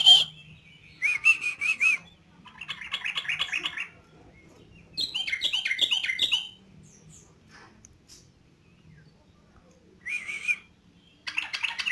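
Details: Yellow-vented bulbul singing vigorously in short separated bursts: chattering trills, bubbly gurgled phrases and descending squeaky notes, with quiet gaps between bouts.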